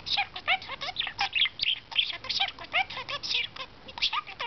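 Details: Pet budgerigar kept as a talking bird, chattering in rapid bursts of squeaky, warbling notes with short whistled upsweeps and clicks, nearly continuous over several seconds, no other sounds.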